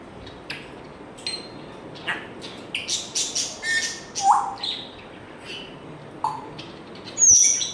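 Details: An African grey parrot makes a rapid string of clicks and short chirps, then a few isolated whistles, one rising quickly, and finishes with a loud high, squeaky whistle.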